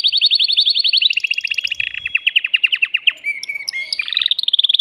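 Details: Excited male canary singing to stimulate a female for breeding: rapid chattering trills at varying pitch, about four notes per second, linked by sustained whistles and sliding tones.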